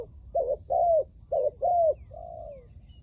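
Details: Decoy spotted dove luring wild spotted doves with its 'lio tan' call: two pairs of coos, each a brief rough note followed by a longer clear down-slurred one, ending with a softer extended falling coo.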